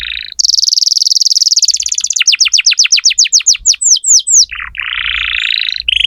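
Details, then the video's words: Vigorous canary song used to tutor young canaries. It opens with a rapid high trill, shifts to slower sweeping downward notes repeated about four per second, then a short buzzy roll. "Masteran kenari muda dengan pancingan kenari gacor"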